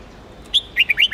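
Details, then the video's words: Huế red-whiskered bulbul singing to train contest birds and rouse new captives: a single high whistle followed by a quick burst of chirpy, rising and falling notes. "Chào mào Huế kéo giọng cực đỉnh, luyện chim hót đấu, kích bổi mau lên lửa"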